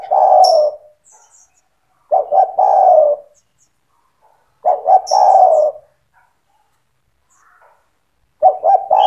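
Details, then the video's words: Spotted dove in vigorous song for training young doves: four cooing phrases, each two brief notes then a long rolling coo, repeated every two to three seconds, with an occasional high chirp. "SUARA TEKUKUR GACOR BAGUS UNTUK MELATIH MENTAL TEKUKUR MUDA BIAR IKUT BUNYI MANGGUNG"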